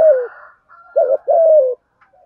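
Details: Spotted dove giving its thúc gù coo in a deep earthy voice: a falling note, a pause, then a double hoot followed by a long drawn-out coo sliding downward. Faint higher whistles from another bird sit behind it.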